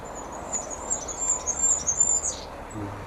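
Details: Goldcrest in a garden, singing rather than calling, another Goldcrest nearby: a very high, thin, rapid string of tinkling notes running steadily for over two seconds and ending in a brief flourish, over faint background noise.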